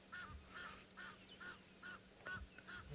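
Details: Egyptian geese give a fast run of hoarse, nasal honks, two or three a second, over engine hum, heard in the background on a morning game drive at Ngala Private Game Reserve, South Africa, 19 August 2021.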